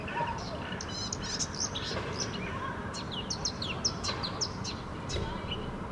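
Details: Unidentified bird moving about in a bush in Helsinki, Finland, giving bright, high, short chirps and twittered notes in irregular bursts over a steady background of low rumbling noise.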